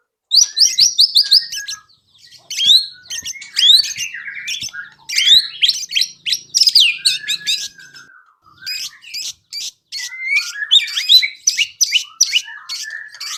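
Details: High, rapid white-rumped shama song meant to spur other birds to sing: clusters of sharp chirps and quick slurred notes in bursts separated by short silences.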